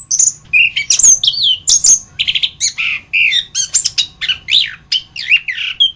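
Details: Orange-headed thrush singing a master recording for training other birds: a dense, nonstop stream of high, varied whistles, sweeping slurs and quick chattering phrases, loud and clear against a quiet background.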